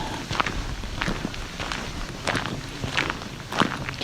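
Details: Footsteps crunch and rustle through leaves outdoors at a steady walking pace, with no animal calls.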